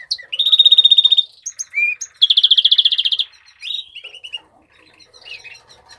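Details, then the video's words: Original song of a House finch, called Mexican rosefinch. Two long, fast buzzing trills are broken by a short rising whistle, followed by softer twittering notes and down-slurred chirps. "تغريد طائر الروزلان المكسيكي (تغريد أصلي)"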